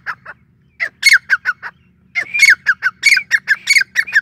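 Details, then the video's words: Grey francolin, known locally as Sindhi or Irani teetar, calling: loud, harsh, rapidly repeated squawking notes with a sharp whistled accent, in two bursts separated by a brief pause, over a low steady hum. "sindhi teetar ki awaz | Sindhi Teetar | irani teetar | gray francolin calling"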